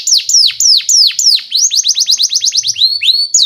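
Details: Canary song used as a lure for young canaries: slow loud descending whistles, then a fast rolling trill of rising notes and a few drawn-out upslurred whistles.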